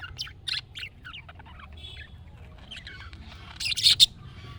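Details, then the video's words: Budgerigar call sequence, aimed at making pet budgies answer: scattered short high chirps and twitters, building to a loud cluster of harsh, squeaky chirps near the end. "MUHABBET KUŞU SESİ Kuşunuz Bu sese Karşılık Verecek Kuş Sesi"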